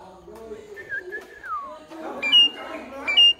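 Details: Pied myna: a soft level whistle that glides down, followed by two loud, high, steady whistles.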